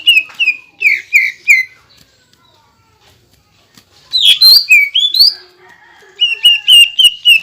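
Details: Greater green leafbird in energetic song meant to make other leafbirds agitated: repeated clear whistled notes in a fast series, a short silence, a loud tumbling whistled phrase, then another quick run of even notes.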